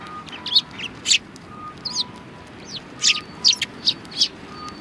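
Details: Sparrows welcoming a person at the rear entrance of a Tenmangu shrine in February 2020, giving scattered high chirps and a few downslurred notes over a faint steady hum.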